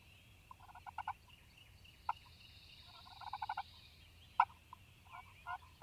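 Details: Male Wild Turkey on a Mississippi farm on a spring morning, heard in several short rattling bursts of quick notes, one near the start and another about three seconds later, with single sharp notes between them.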